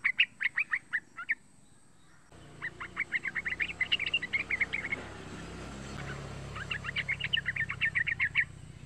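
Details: Young yellow-vented bulbul calling, used as a lure to get other bulbuls singing: quick bursts of short, bright chattering notes, each burst several notes long, with pauses between and a low background hum.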